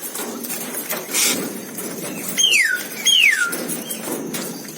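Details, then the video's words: Asian glossy starling (Aplonis panayensis): two clear, sharp whistles, each sliding steeply downward, about a second apart, with a brief rustling burst before them and a soft background hiss. "Cucak Keling/Perling Kumbang Gacor - Suara Kicau Burung - Aplonis Panayensis"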